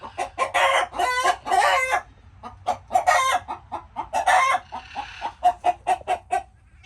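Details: Chickens making busy, overlapping clucks and several stretched, wavering squawks, with a brief soft rustling noise near the end among continued quick clucking.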